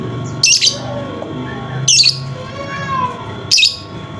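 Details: Lovebird sound played to coax a lovebird that has stopped singing: three harsh, high squeaky bursts about one and a half seconds apart, with faint low background rumble.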